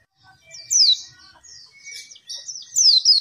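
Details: Oriental white-eye song used to prompt and train captive birds reluctant to sing: bright high twittering phrases with sweeping down-slurred notes, broken by short pauses, plus a faint thin steady whistle beneath.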